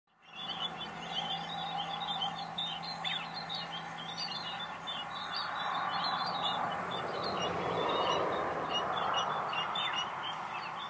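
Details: Chestnut-breasted mannikins by a road in Julatten, North Queensland, give a steady stream of short, high chirps, overlapping as if from several birds, over a constant low rumble and background hum.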